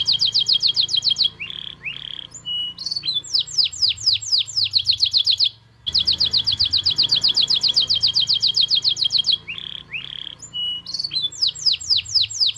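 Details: Canary in full song in the Indonesian "cengkok mewah" style, performing as a gacor bird: long rapid rolls of bright, high repeated notes, broken by shorter whistled phrases and squeaky slurs, the whole sequence repeating again after a short pause.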